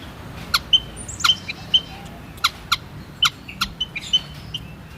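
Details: White-headed munia, Lonchura maja, wetland estrildid finch: thin high piping notes with clicky broadband ticks, roughly a dozen in five seconds, irregular rhythm, low steady background rumble.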